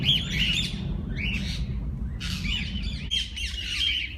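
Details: Walk-in aviary parakeets, several kinds kept together; close, bright warbled chirps in short bursts separated by brief gaps, with a low rumbling background.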